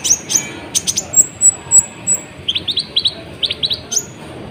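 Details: Sunbird in full song, played to stir other birds up: sharp high ticks and thin whistles, then rapid paired chirps rising and falling, repeated in quick bursts.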